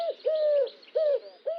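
Eurasian Collared Dove song: soft, hollow cooing notes, a short coo then a long, even one, repeating in a three-note phrase, with little else heard.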